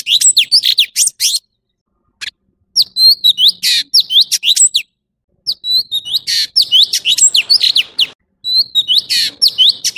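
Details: Orange-bellied leafbird, a male singing: dense runs of high, quick whistled and chirping notes with buzzy bursts, broken by brief pauses, then resuming in rapid varied phrases.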